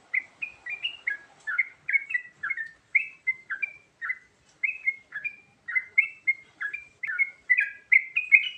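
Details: Sooty-headed bulbul in a varied fill-in song used to lure birds: bright, chirpy two-part notes repeated in quick, irregular succession, about two to three per second, with a faint lower murmur near the start.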